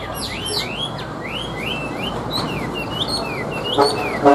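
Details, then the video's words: Hand-tamed Chinese hwamei singing from its cage on a table: a series of clear upward-sweeping whistles, repeated about twice a second, ending with a couple of sharp knocks. "Họa Mi Hót"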